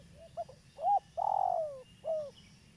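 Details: Local spotted dove, a persistent caller, recorded as a lure for trapping: one phrase with a short clipped note, a rounded coo, a long wavering coo sliding downward, then a final falling coo, over a low steady hum.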